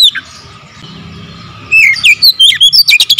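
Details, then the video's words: Oriental magpie-robin: after a falling whistle and a quiet stretch of hum, a rapid sequence of sweet whistled slurs and sharp chips fills the second half. "Kacer gacor nembak rapat full variasi isian"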